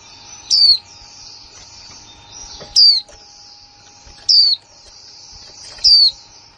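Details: Female white-eye, new in 2020, uttering kick mộc là líu calls. Four clear, thin, falling whistles sound about every one and a half seconds, with a soft high background hiss and a faint steady tone beneath.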